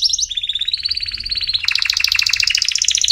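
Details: Short burst of canary training song for chicks: a rising whistle leads into a steady bubbling trill, which jumps to a louder, denser double-pitched rattle.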